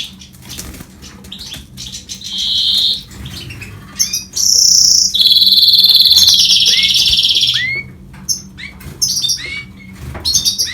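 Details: Song of a goldfinch crossed with a canary. Scattered chirps and upward-flicking notes lead into long rapid high trills lasting several seconds, followed by more sharp chips. Soft fluttering and rustling are heard throughout.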